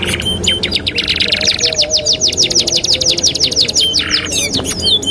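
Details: Canary singing as a training master song: a long rolling trill of quick, sharply down-swept high notes repeated evenly, ending in a buzzy rasp and rising whistled slurs, low hum beneath.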